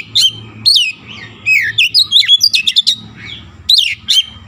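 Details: {'text': 'Oriental magpie-robin in full song, loaded with Javan myna imitations: a rapid run of varied whistles, chirps and harsh squeaky notes, closely packed, over a low background rumble.'}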